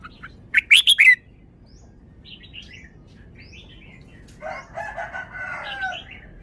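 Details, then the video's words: Red-whiskered bulbul, a caged bird giving a forest-style song. A fast cluster of sharp, loud whistled notes opens, faint chirps follow, then a rooster-like harmonic crowing rises near the end. "นกกรงหัวจุก 1038 จ้าวมาดี สำนวนดี"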